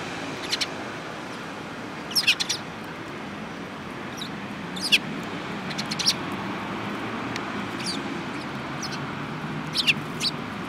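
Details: Sparrows in a group, among them a yellow-beaked bird, recorded 18 January 2018: brief bright tweets in clusters every couple of seconds, some doubled, against continuous low noise.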